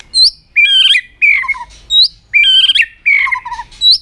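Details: White-rumped shama in a tail-flicking singing display aimed at stimulating other birds: loud bursts of high upslurred whistles alternating with fuller, warbled phrases that slide downward, about one burst every half second.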